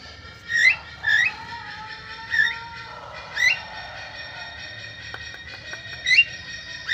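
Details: Javan myna after a bath, calling repeatedly in reply to other mynas. Short grating notes rise sharply at uneven spacing, while steady whistled tones hold underneath for the first few seconds.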